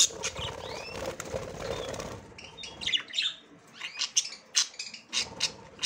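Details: A female budgerigar inspecting the nest for the first time: scratchy rustling and fluttering at first, then a string of sharp high chirps and brief squeaky notes in the second half.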